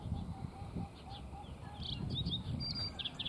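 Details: Lark Sparrow (Chondestes grammacus) giving a run of soft, low whistled notes about three per second, then thin, sharp high chips, over a steady low rumble of wind.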